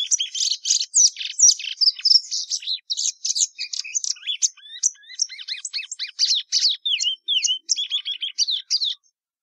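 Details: Patativa verdadeira, the plumbeous seedeater, delivering a fast, varied run of high sharp notes and down-slurred whistles, gradually spacing out into separate chirps toward the end.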